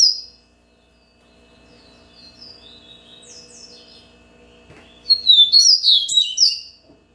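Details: Yellow-bellied seedeater song: after a quiet stretch with a few faint high notes, a loud burst of bright, sliding whistles and quick twittering phrases runs for about a second and a half near the end.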